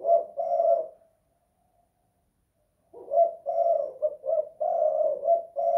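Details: A house-kept spotted dove (tekukur) in the kuk 2 / guk 1 style: one soft coo, nearly two seconds of silence, then a quick string of hollow notes of uneven length.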